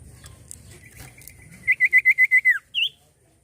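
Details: Common iora singing a steady whistled tone that breaks into seven quick looping notes, ending in a falling slur and one higher twisted whistle, with a faint low rumble beneath.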